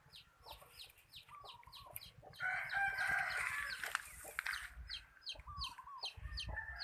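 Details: Decoy chicken used for catching birds, praised for its good voice; a loud, harsh crow of about two seconds stands out amid rapid, repeated high chirps from other birds and steady low background noise.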